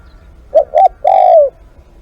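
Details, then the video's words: Spotted dove used as a live decoy, cooing two quick short notes and then a longer, smooth coo that slides gently downward and stops abruptly. A faint low rumble sits in the background. "เสียงนกเขาใหญ่ ต่อสด"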